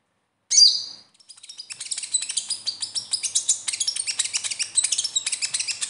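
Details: Sunbird, locally called konin or kolibri ninja, giving 'besetan' style song meant to prompt a captive bird to sing. A loud, high, piercing note opens a long, rapid, continuous twittering chatter of thin high notes.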